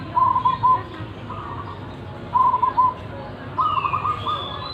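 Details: Wild local zebra dove with a strong voice gives three purring, trilled coo phrases spaced roughly every one and a half seconds, while a higher rising whistle from another bird sounds near the end.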